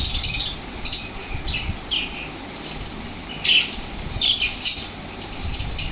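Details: Lovebirds reacting energetically to played lovebird sounds, giving scattered sharp, high squawks and chirps in irregular bursts, with brief quieter gaps and a low background rumble.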